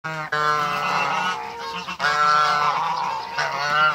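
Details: African geese, a pair being introduced on a farm, giving loud, drawn-out nasal honks that run almost unbroken for four seconds, with brief pauses near the start and at the two-second mark.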